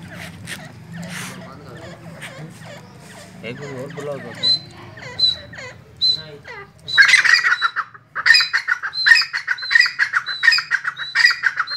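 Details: Black francolin (kala teetar, Sindhi teetar) calling loudly with a series of harsh, stacked, rhythmic pulses over the last five seconds, after a stretch of quieter mixed bird sounds and a human voice in the background.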